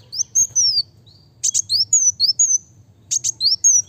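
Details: High, thin, fast song of a kolibri wulung: quick sliding whistles and doubled sharp ticks packed closely together, in phrases with short pauses between them.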